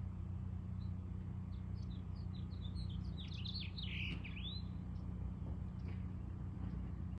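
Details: A male house finch, singing to establish territory near his mate's nest with eggs in a house's front column, gives a quick, jumbled warble of bright chirps and slurred notes lasting about three seconds over steady low traffic rumble.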